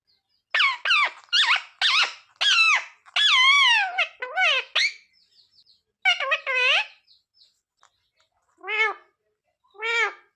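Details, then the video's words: Pet parrot repeating "mummy papa" in loud, nasal, speech-like syllables with wavering pitch, grouped in phrases, followed by two separate arched calls after a quiet gap. "मम्मी-पापा बोलने वाला सुपरस्टार मिट्ठू"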